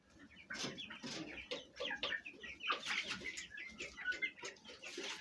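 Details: Domestic Fayumi hens with young chicks kept at home, eating and fighting: a busy mix of low, throaty hen clucks and rapid, high, thin chick peeps, many sliding downward, overlapping throughout.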